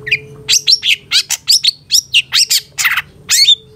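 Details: Master recording of long-tailed shrike song for training caged birds, a dense rapid run of varied chirps, slurred whistles and harsh rasping notes delivered almost without pause, over a faint steady low tone.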